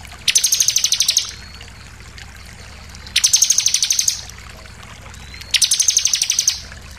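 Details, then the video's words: Bar-winged prinia lure song for provoking rival birds: three regular bursts of fast, shrill repeated notes, each lasting about a second, separated by two-second pauses. "pancingan ciblek bahan langsung emosi nembak"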